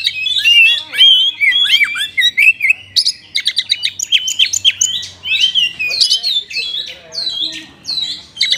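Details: Oriental magpie-robin song carrying sooty-headed bulbul imitation phrases, a dense, varied stream of sweeping whistles, trills and clipped high chirps with brief pauses between bursts.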